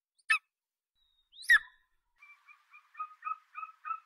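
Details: Eagle calling: two sharp, harsh notes, then a run of short, clipped, evenly spaced notes that grow louder toward the end. The recording is clean, with no other sounds.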